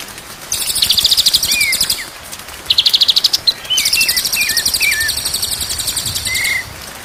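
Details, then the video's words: Masteran training recording of white-rumped shama song, meant to get kept birds singing hard day and night: short wavy whistles in a quick series and a long steady whistle, partly masked by a loud, rapid, pulsing high buzz. "MASTERAN MURAI BATU SIANG dan MALAM DI JAMIN BURUNG JADI GAGOR"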